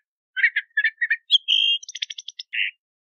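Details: Crissal thrasher delivering a short song burst: paired scratchy chirps, then a sustained level whistle, a quick stutter of clicking notes, and a final harsh rasp; quiet otherwise.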